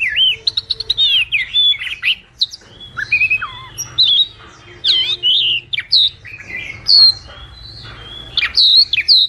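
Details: Song of a white wagtail, a lively stream of high chirps, short whistled slurs and wavering trills in quick bursts, broken by brief pauses, over a soft low background hum.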